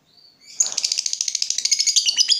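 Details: Lovebird chattering trill ('ngekek') used as a lure for other lovebirds: a thin rising note opens, then a sudden burst of quick, buzzy high pulses rattles on for about two seconds.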